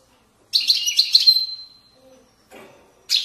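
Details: European goldfinch in authentic Moroccan widaniya style sings one rapid twittering phrase ending in a drawn-out thin whistled note, followed by quiet and the start of a new burst.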